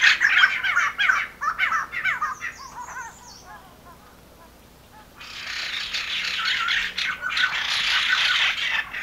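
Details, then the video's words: A White-crested Laughingthrush gives harsh, rapid chattering notes for about three seconds, then a long, broad rushing wash like a noisy chorus, in the Nainital Himalaya, where a barking deer turns alert on hearing the call. "Call of White Crested Laughing Thrush"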